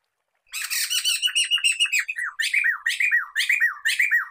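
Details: Black-throated laughingthrush (poksay mantel, poksay medan), recorded for luring and tutoring songbirds. Starts with a grating burst of rapid notes, then settles into loud, ringing, downslurred notes in pairs and triplets, about two every second.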